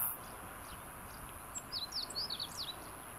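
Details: A Meadow bunting, a common familiar bird in Japan, sings its 'ippitsu keijō tsukamatsuri sōrō' phrase: about eight short, sharp, high chips and slurs in just over a second, over a steady background hiss.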